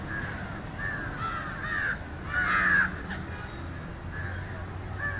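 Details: Harsh caws of an Indian jungle crow feeding on fish, several rasping notes with a louder, longer one in the middle, then quieter caws trailing off.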